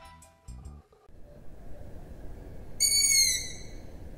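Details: A young Long-eared Owl in Poland, a species of young pine forests nesting in old nests of other birds, gives one high, thin, squeaky whine like a creaking gate, begging for food, over steady hiss.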